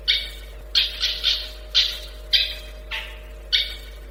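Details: Long-tailed shrike uttering harsh, raspy squawks in short separate bursts, about seven in four seconds, with quiet gaps between, over a low steady hum.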